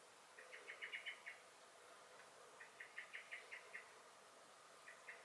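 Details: Blackbird (Turdus merula) alarm calls in a garden on 23 May 2021: quick bursts of clipped chink notes, a dense opening rattle, a second even series, then two isolated chinks.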